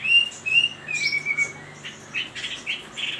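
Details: Chinese hwamei producing clear level whistles, first short then drawn out, ending in a jumble of softer varied chirps; a low steady hum sits underneath.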